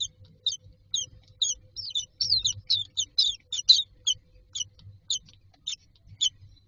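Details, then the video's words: Young mynas waiting to be fed in their nest box produce a rapid run of scratchy, high-pitched chirps, clustering densely in the middle then spacing out, with soft low background hum. "Myna chicks are standing in a row waiting for food"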